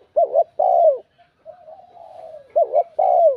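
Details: Spotted dove cooing in a ringing, bell-like voice to challenge rival males. Two double-note phrases, a wavering short coo then a longer descending one, are separated by a quiet drawn-out murmur.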